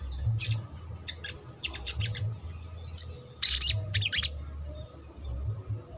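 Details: Trotol-style Ruby-cheeked sunbird song for encouraging silent sunbirds: short bursts of very high, rapid ticking and twittering, separated by brief pauses, over a faint low hum.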